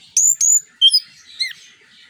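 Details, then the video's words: Brief burst of orange-headed thrush song, known locally as anis kembang, used as a lure to spur other birds. Two sharp high whistled notes, then a downslurred whistle and a faint falling note, with no other sounds. "ANIS KEMBANG NGEPLONG NEMBAK BUAT PANCINGAN"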